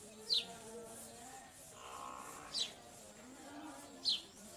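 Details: Purple sunbirds feeding their chicks: three sharp, high, downslurred chip notes, about two seconds apart, over a faint murmur of voices and low background hum.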